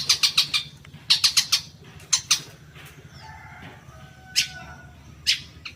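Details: Long-tailed shrike in a lure recording meant to make caged birds respond: short bursts of rasping, rapid notes, then scattered single harsh notes and faint thin whistles during quieter gaps.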